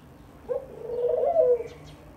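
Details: A lone, low dove coo rising from a brief opening note into a long, wavering, breathy hum that ends after about one second.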